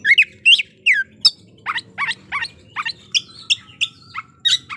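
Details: Singing white-rumped shama, played to stir up rival shamas and trigger a fighting response: sharp whistled notes and downward-sweeping slurs repeated about every half second, with a few thin sustained tones near the end.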